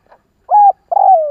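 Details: Spotted dove call meant to provoke doves into answering. A faint note, then a steady mellow coo and a longer, slightly rough coo that drifts downward, in a quiet setting.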